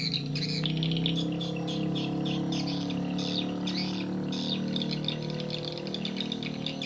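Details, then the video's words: Edible-nest swiftlet lure sound used to attract swiftlets: rapid, high-pitched twittering chirps, about four per second, in bursts with short pauses, over a steady low humming drone. "SP BURUNG WALET PALING RESPON DI SEMUA WILAYAH (Swallow's VOICE RESPONDS)"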